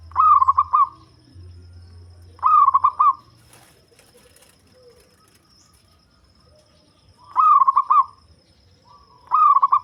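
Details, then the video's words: Deep-voiced local zebra dove, the kind used to lure other birds, repeating its rolling coo four times at intervals of about two to five seconds: a drawn-out note breaking into rapid, bubbling pulses. The background stays quiet. "Perkutut Lokal Suara Ngebas || Cocok Buat Pikat"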